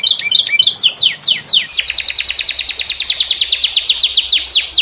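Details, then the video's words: Canary with a unique cengkok song, used to teach other canaries: jumbled twittering notes, then a fast even trill of descending strokes lasting several seconds. "SUARA KENARI CENGKOK UNIK GACOR||COCOK BUAT MASTERAN"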